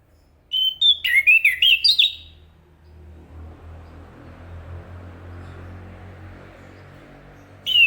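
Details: A rapid series of about eight twisting, whistled notes from a chestnut-capped thrush, Zoothera interpres, followed by low rumbling background hiss and one more whistled note at the end.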